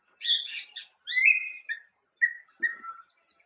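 A Greater racket-tailed drongo sings a varied phrase: harsh, scratchy chatter, then clear metallic whistles that slide and drop, with brief pauses between bursts.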